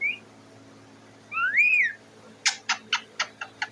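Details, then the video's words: Caged pet parrot on top of its cage, begging for food: a brief high whistle, a louder rising-and-falling whistled note, then six sharp harsh squawks spaced about a quarter second apart. "The parrot is sitting on the cage and making a noise"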